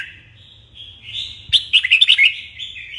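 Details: Red-whiskered bulbul in morning song training for contest singing. A long, thin whistle gives way to a burst of rapid, bouncing whistled notes in the second half, then a short rising note.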